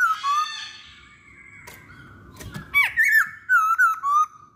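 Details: Masked laughingthrush song played as a lure so other masked laughingthrushes start singing. A long harmonic-rich note sweeps down, a knock sounds, then a string of short whistled notes steps downward.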